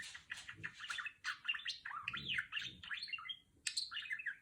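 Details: Female pet budgerigar chattering while imitating R2-D2 sounds: fast warbled phrases of rising and falling whistles and buzzy chirps, high-pitched and nearly continuous, with brief pauses around the middle and near the end.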